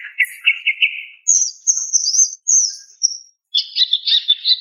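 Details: Female greater green leafbird calling to a male: a buzzy stuttering trill, then very high thin whistled phrases, and finally a dense burst of chattering notes.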